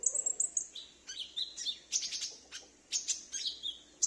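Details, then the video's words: Captive konin (Brown-throated Sunbird) kept at home, a bird that answers whenever another calls, recorded for luring wild sunbirds: rapid high, thin chirps and sharp twittering notes, some sliding downward, tumbling in quick bursts with short pauses. "Pancingan Konin Macet / Konin Bahan dan suara pikat"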